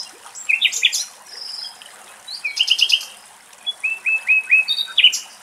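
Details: Common Nightingale singing in Axios Delta National Park, Thessaloniki, Greece: varied phrases of high, clipped notes, rapid trills and series of short, even whistled notes repeated in quick succession.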